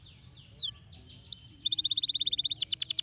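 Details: Canary song to encourage lazy canaries to sing: varied swooping whistles, then a rapid, even trill of short high notes, ending in a harsher, buzzy fast rattle.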